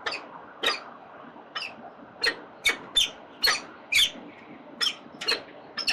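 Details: Peregrine falcons in Melbourne's CBD (367 Collins St), 4 October 2020 at 09:29: short, sharp, high squeaky chips, about twelve in six seconds at an uneven pace, over a low steady city hum.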